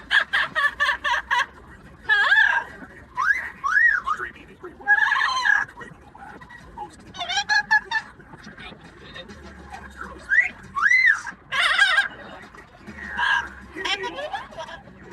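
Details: Yellow-naped amazon parrot kept as a pet, noisy during a commute: repeated arching, swooping calls and bursts of rough chatter in irregular phrases, with quiet gaps between them.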